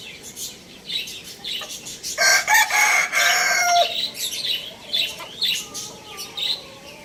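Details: Lohmann Brown rooster crowing: a loud, coarse crow of about one and a half seconds, falling at the close, with clucks and repeated high chirps around it.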